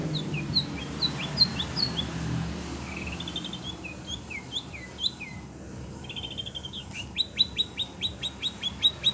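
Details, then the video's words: Agitated caged Oriental magpie-robin (kacer) reacting to other birds' voices: a run of quick rising chirps and short trills, ending in a fast series of clipped, repeated high notes, over low background noise. "Kacer SUNEO emosi denger suara burung lain"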